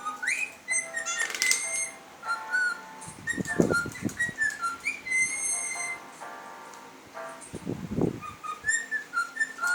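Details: Pet cockatiels playing with an electric fan indoors give clear whistled calls, mostly short level or slightly rising notes with bright harmonics, repeated throughout, while rough bursts of low fluttering noise break in around the middle and near the end.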